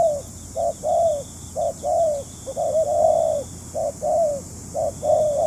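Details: Spotted dove kept as a trapping decoy, calling a series of mellow coos, short and long notes alternating, some run together, about one each second, loud and close.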